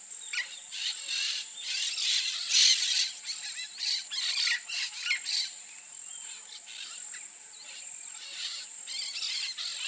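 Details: Peach-fronted parakeet (Eupsittula aurea), also known as jandaia-estrela, giving a run of harsh, grating screech bursts in quick irregular succession, some overlapping, with a steady high insect-like hiss underneath.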